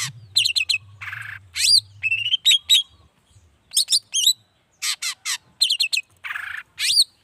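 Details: Long-tailed shrike singing vigorously, used morning, midday and evening as a lure to provoke other shrikes into answering; rapid bursts of varied whistled and scratchy notes, some with upswept tones, in quick clusters separated by short pauses, with a faint low hum.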